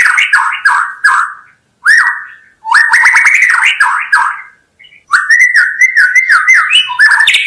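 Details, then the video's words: White-rumped shama in full song, meant for attracting wild birds: clear whistled phrases with slurred notes, broken by brief silences, then a long rich sequence of varied whistles and trills. "SUARA KHAS BURUNG MURAI BATU_KICAU ISTIMEWA"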